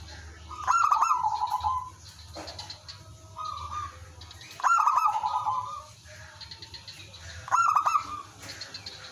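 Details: Zebra dove in lively song, used to lure other doves, which answer: three loud phrases about three seconds apart, each clipped staccato notes into a rolling trilled coo, with fainter trilled replies between.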